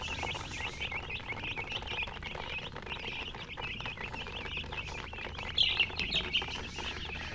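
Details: Young chicks giving a continuous flurry of thin, high peeps, with a brief louder burst of sharper chirps late on, over a faint low hum.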